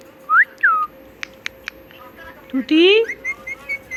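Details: Talking pet parrot imitating words. Two bright, falling, whistled syllables come first, then a few soft clicks and a long, rising, nasal word. Short, quieter chirps end the passage over a low, steady hum.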